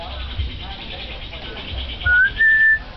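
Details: A pet common hill myna, coaxed to talk and said to speak in a man's, a woman's and a boy's voice, gives two clear whistles near the end. The first is short and rising, the second higher and held level, over faint background voices.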